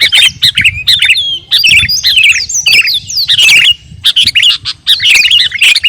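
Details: Singing sooty-headed bulbul (kutilang garuda) in a training recording for captive birds: loud squawky bursts of warbled, looping whistles, each burst about a second long and broken by brief gaps, over a soft low hum.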